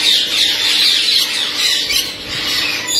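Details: Shrill, rasping chatter from a blue-headed rainbow lorikeet parrot, rapid squawks packed closely together into a dense, unbroken screeching run.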